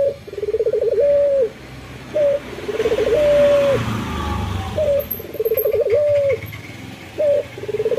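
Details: A local male puter dove sings gacor in the morning: repeated phrases of a short coo, a rolling trill and a held, slightly falling note. A low rumble like a passing vehicle runs underneath.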